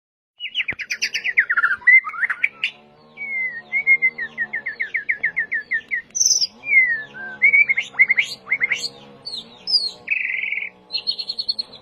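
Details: White-rumped shama song used as a lure to trigger singing: a long varied run of rich whistles, fast rising and falling trills, and sharp high notes, delivered in quick phrases with hardly a pause; a faint low hum lies underneath.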